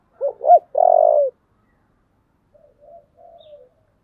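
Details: Spotted dove in the deep 'giọng thổ' voice style, giving an intense fighting call: two quick hooked coo notes, then a long throbbing coo, followed by softer broken coos after a pause. The background is quiet.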